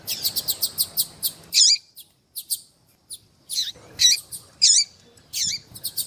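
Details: Calling female rusty-collared seedeater, kept by breeders to excite males, giving a quick series of high ticking chirps followed by spaced, louder looping whistled notes.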